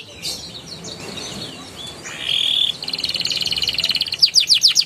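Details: Prompt song of a young canary for canaries that have gone quiet: after a faint, noisy start, a steady buzzy tone leads into a quickening trill and a few sharp high notes.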